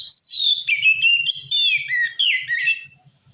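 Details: Continuous Oriental magpie-robin singing aimed at provoking other magpie-robins to answer, with fluid whistled phrases that slide up and down, rich in varied notes, over soft low ticking sounds.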